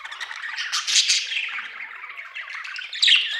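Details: Chirping budgerigar: an unbroken stream of harsh, warbled chatter and squawks, swelling loudest near the start and again in a shrill burst at the end.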